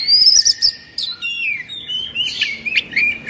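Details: Oriental magpie-robin (kacer) in an agitated 'emosi' mood, fluffing and spreading its tail; high, clear whistles followed by lower, sliding and warbled notes that rise and fall in a fairly continuous phrase.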